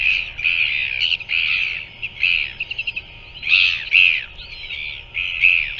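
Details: Royal albatross chick being fed by a parent at a nest in New Zealand, 5:41 pm on 7 February 2024: a run of squeaky, nasal notes in rapid bursts, some short and clipped, others drawn out, with brief pauses between.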